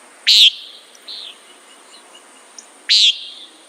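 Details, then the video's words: Two sharp nasal buzzes from a common nighthawk bracket a quiet stretch with a few soft distant chirps. "Common Nighthawk Sound"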